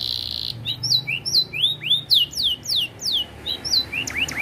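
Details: Competition-grade AF canary in 'isian' filled style: a short buzzy tone gives way to spaced, slurred whistles curving up and down, about four per second, each clear and ringing against a faint low hum.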